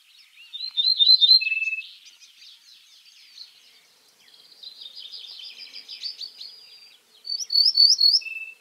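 An Ortolan Bunting sings two short phrases of ringing, repeated high notes, each ending in a lower, steady note. Softer twittering from other birds fills the gap between them.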